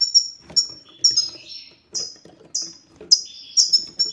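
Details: European goldfinch satsata for stirring silent males into song: high chirps, several with drawn-out falling tails, spaced roughly half a second apart, over light background clicks.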